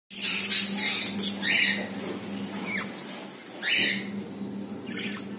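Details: Captive budgerigars indoors, kept as a pair that has just laid its first egg; a few harsh, scratchy squawks and short bright chirps break a steady low electrical hum in a small room.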